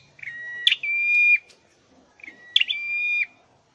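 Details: Caged scarlet-headed flowerpecker in training for singing: two long whistled notes, each opening with a sharp click-like burst, then a steady tone that steps down slightly at its end, separated by a short pause in a quiet room.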